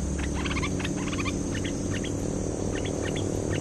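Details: Cream-vented bulbul in full active song, used as a lure call: rapid clusters of short, bright chirping notes, some stacked and descending, repeated in bursts over a steady low hum.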